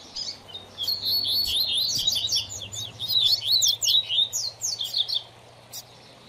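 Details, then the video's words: Rusty-collared seedeater singing as a tutor for training a young bird: a long run of fast, high zigzag whistles and buzzy slurs, steadily repeated for about five seconds, over a faint low hum. "Coleiro Professor Aprendizado"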